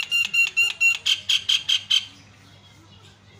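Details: Javan myna (jalak kebo) in lively, melodious isian filler song: nine harsh, ringing notes repeated about four times a second for two seconds, then quiet with a low background hum.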